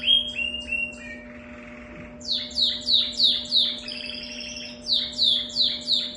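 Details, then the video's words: A canary with an unusual song sings bright, high, rapid downward-sweeping notes, about three a second, over a steady low electrical hum. "canário com canto diferente"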